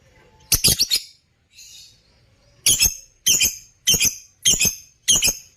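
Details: Parblue African lovebirds kept for breeding give quick shrill chirps, a rapid triple burst, then a steady series of harsh, high notes about twice a second.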